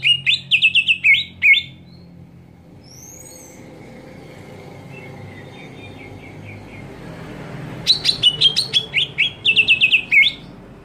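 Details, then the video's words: Two bursts of shrill, rapid notes from a greater green leafbird screaming to provoke rival leafbirds, separated by about six seconds of quieter background with a few faint distant chirps. "JERITAN CUCAK IJO BIKIN EMOSI IJO LAIN"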